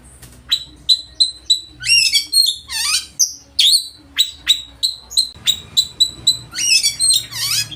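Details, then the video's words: Loud, full-repertoire song of an oriental magpie-robin that goads rival birds to sing and fan their tails. Rapid bright chips alternate with swooping buzzy slurs and harsh sweeping notes, delivered almost nonstop. "Kacer ngeplay full materi mewah suara keras bikin lawan ikut gacor dan buka ekor"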